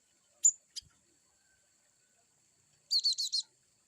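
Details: Cinereous tit, locally glatik batu, giving varied chirps: a sharp high note and a brief chirp, then after a quiet pause a quick run of four slurred, high whistled notes close together; no other sounds.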